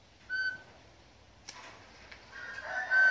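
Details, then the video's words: Campo troupial singing a trained tune, the hymn: clear, pure whistled notes held steady, one early tone and a longer sustained note near the end, with faint background noise between. "CONCRIZ - CORRUPIÃO CANTANDO O HINO"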